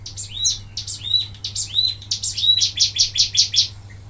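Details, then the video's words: Short burst of wambi mini song meant for training other birds: looping upslurred whistles blending into a fast run of high, evenly spaced buzzy notes. "suara asli wambi mini tembakan mantap buat masteran"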